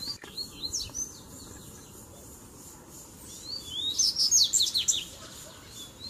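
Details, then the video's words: Mixed Tui Tui, Zel Zel and Mateiro styles of Double-collared seedeater song, used to rouse other birds: a few sparse high chirps early, a quiet gap, then a bright burst of rapid, sharp whistled notes near the end. "Baderna de Coleiro Tui Tui Zel Zel e Mateiro Top Pra Esquentar a Fibra do Seu!!!"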